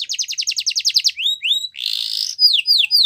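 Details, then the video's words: A Yorkshire canary sings a training song meant for young canaries: a rapid rolling trill, two rising whistles, a harsh buzzy note, then three descending whistled sweeps. "Yorkshire Canary Singing | Canary Training Song"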